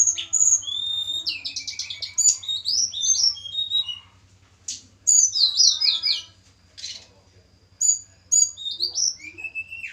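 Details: Caged snowy-browed flycatcher from the mountains of Java, set up for pairing, sings tumbling high whistled phrases and quick trills in bursts separated by pauses, with a constant low hum beneath.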